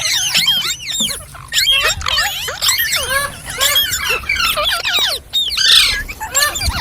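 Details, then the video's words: Green parrots chirping in a lively squealing chatter, bursts of rapid high curving chirps separated by short gaps over nearly seven seconds. "Green Parrot Chirping Sounds /Voice"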